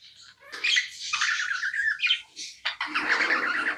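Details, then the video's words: Pet budgerigar chatter, a rough, squawky warble with buzzy drawn-out notes and a few clear whistles, carried over a grainy background hiss. "Non stop budgie chirping sounds"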